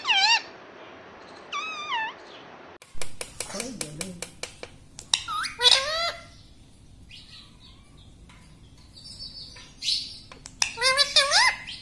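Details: A pet ringneck parrot talks, repeating 'mummy' and 'papa' in high, wavering, nasal syllables between sharp clicks and brief squawks.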